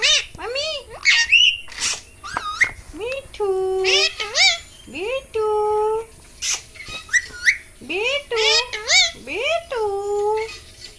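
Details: A pet parrot called Mitthu, possibly an Indian ringneck, chatters in high, Hindi word-like phrases such as "mitthu beta" and "mummy", with quick rising and falling syllables and a few sharp squawks between them.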